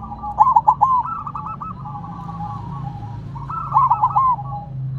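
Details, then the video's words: Silver zebra dove placed on the ground, with two rhythmic cooing phrases of quick stuttered notes about three seconds apart, mixed with a continuous background of other doves cooing. "Perkutut Silver Tetap Gacor Walaupun Ditaruh Tanah"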